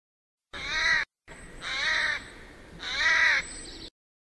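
Eurasian jay giving three loud, harsh, rasping screeches, each about half a second long and spaced roughly a second apart.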